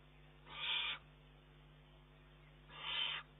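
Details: Juvenile Eurasian eagle-owl begging food from its mother on 19 June 2011, taking food from her beak though able to feed itself. Two harsh, hissing rasps, each about half a second, spaced roughly two seconds apart over steady low hum.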